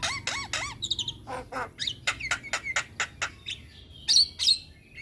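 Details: Javan myna singing actively with many varied phrases, recorded as tutor song for training young mynas: curved whistles, short rising notes and harsh chirps in quick succession, some sharp high squeaks near the end, over a faint low hum.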